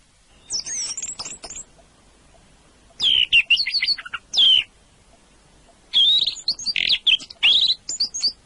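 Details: Orange-headed thrush singing in rich, varied bursts of whistled and chattering phrases, each burst lasting about one to one and a half seconds, separated by short silences; quick high notes with some buzzy fragments, no other clear sounds.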